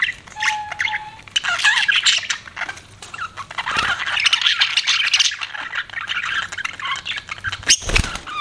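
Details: Pet budgie parrot warbling continuously in scratchy, twittering chatter with a few louder squawks and a sharp thump near the end.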